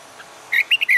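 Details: Caged red-whiskered bulbul in fighting-song training utters a brief burst of three or four clear, slurred whistled notes, cut off at the end.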